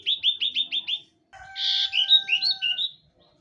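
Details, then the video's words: Common iora gives a fast run of five sharp, repeated chirps, a short pause, then a burst of rising and falling whistled notes over two steady, faint lower tones. "BURUNG CIPOH"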